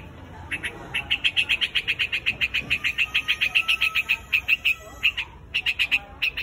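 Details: Flock call of a white-headed quạch mốc: a long, rapid chain of sharp chips, about three to four per second, broken by one brief pause, with a faint thin high tone running underneath.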